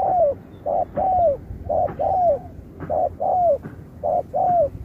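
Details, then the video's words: Spotted dove in a 2024 singing match, 'Thúc kèm Bo' style: clear repeated phrases of a short coo and a longer coo that slides downward, evenly spaced about a second apart. "Cọp Víp 2024, Bài lối Thúc kèm Bo tráo trở nước như chim ngoại"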